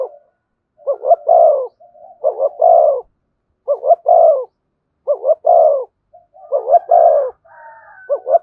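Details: Spotted dove (cu gáy) in the "thổ" voice style, with "thúc" and "kèm" cooing, gives a steady series of soft, low, hollow coo phrases, each a short rising note followed by a longer one, repeated about every 1.4 seconds.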